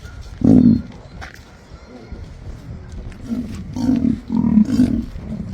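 An emu gives a deep, resonant boom, then a run of low thudding drum-like pulses roughly every half second, over a faint rustling background.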